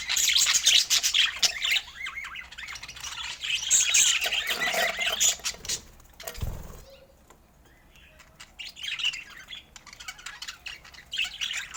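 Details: Budgerigars at feeding time chatter in high, scratchy warbles for several seconds, then fall quiet with a soft knock and faint clicks before the chirping returns weakly at the end.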